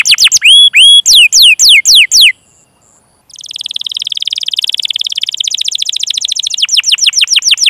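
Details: Canary master song, long 'cuit cuit' chirping with rolling trills, used as a lure to get young, untrained or silent canaries singing: loud downward-sweeping whistled notes, a second of silence, then a long rapid buzzy trill ending in sharp slurred notes.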